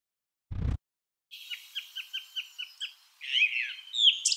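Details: Song thrush song: after a brief low thud, a series of about seven short, sharp repeated notes, then a richer warbled, whistled phrase; no other sounds clear.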